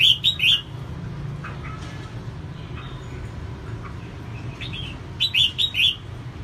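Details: Female red-whiskered bulbul singing to excite males: a rapid trio of bright whistled notes, softer scattered notes, then a second phrase of several rising-falling chirps, over low-pitched background noise.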